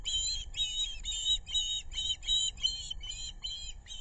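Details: Osprey calls from a family nest beside the Narrow River in South Kingstown, Rhode Island, as the adult female delivers fish to both chicks, August 2022: steady series of piercing, whistled chirps, roughly two per second, with low wind-like rumble.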